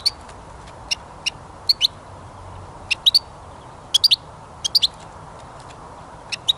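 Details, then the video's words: European goldfinch linked to songbird trapping, giving a sparse series of short, sharp, high chirps in clusters of two or three, separated by brief pauses, over a faint steady background hiss. "Пение Щегла"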